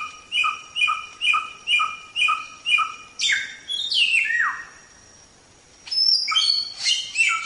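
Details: Mongolian lark (samyong) singing, used to train songbirds: six evenly spaced ringing notes with overtones about every half second, a loud descending warbled flourish, a short pause, then a burst of bright high chattering notes.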